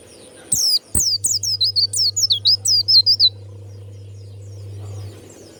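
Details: Warbling white-eye singing in the loud, clear 'ngeplong' style: a quick run of about a dozen thin, high whistled notes, each sliding downward, lasting under three seconds, over a steady low electrical hum.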